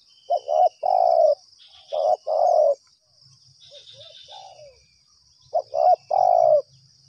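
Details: Spotted dove calling toward a lure during trapping: loud stuttered-then-long coo phrases, a quieter farther coo between them, a soft low rumble, and a steady high insect buzz throughout.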